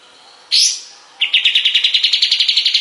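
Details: {'text': 'Master song of the kapas tembak, or sooty-headed bulbul, for training other songbirds: one loud upswept note, a brief gap, then an even, rapid series of bright repeated notes.'}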